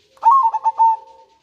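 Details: Zebra dove, local bird, with a single phrase of manggung and nretek song used as a lure and breeding stimulus: four quick throaty coos merging into a smooth fading tone.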